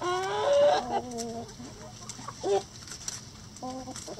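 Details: Backyard chickens at a sanctuary, free ranging and in the coop: a drawn-out, tonal cluck opens, followed by shorter clucks a couple of seconds later, over a steady hissing background.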